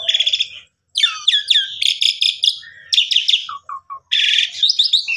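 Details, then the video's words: Asian pied starling in full, actively varied song, used to coax a silent bird into singing: buzzy rattling bursts, sharp falling whistles and short low fluted notes, separated by brief pauses. "Pancingan Jalak Suren Gacor Full Isian Buat Jalak Suren Pundung Tidak Mau Bunyi"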